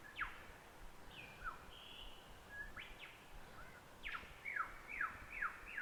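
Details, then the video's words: Wild lyrebird on a ridge in Bungonia National Park, New South Wales, May 2020, cycling through imitated calls such as kookaburra, currawong and crimson rosella; varied whistles, a held note and quick downslurred notes repeated in a rapid run. "I've just stopped to have a little break here because behind me, hopefully you can hear it, there's a lyrebird going through all its calls."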